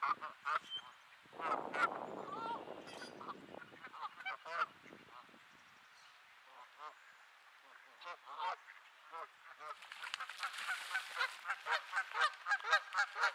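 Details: Geese honking in Sainte-Adèle, Quebec, on an overcast May evening at 15°C. Scattered nasal honks, a burst of rough noise, a lull, then a rapid run of loud honks about two per second.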